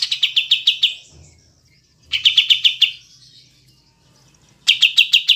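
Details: A recording used as a training (masteran) track for cage birds: a Cotton pygmy goose gives bursts of about seven sharp, high, rapid cackling notes. Each burst lasts a second and repeats every two to three seconds over a faint low hum.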